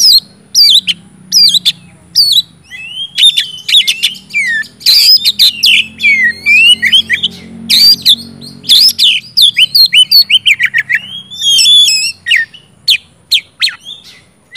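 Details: Continuous 'gacor ngeplong' singing from an oriental magpie-robin, meant to prompt reluctant magpie-robins to sing: rapid mix of sweeping whistles and rasping broadband notes with few breaks, and a faint low hum beneath.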